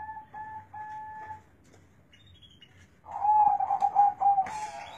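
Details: Big-voiced, bass-heavy zebra dove song: several short, steady, flat hooting notes in a row, then a pause and a longer rolling, pulsing coo phrase of about a second and a half, ending with a brief noisy rustle.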